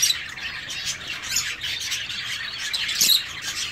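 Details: Several zebra finches in an aviary call together, giving bright, nasal squeaks and chirps in a constant overlapping jumble.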